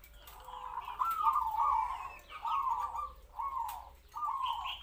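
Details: Zebra dove kept as a trapping decoy, local and captive-bred, around three to four years old, cooing kwor kwor in a medium voice; long quavering phrases with a rolling tremolo, broken by short gaps, over faint background hiss.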